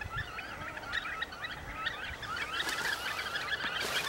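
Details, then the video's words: Fulvous whistling duck, locally pato siriri colorado, in a dense chorus of short whistled notes, several birds calling over one another at a quick pace, growing louder and noisier toward the end with broadband rushing sound. "Pato Siriri Colorado Dendrocygna bicolor"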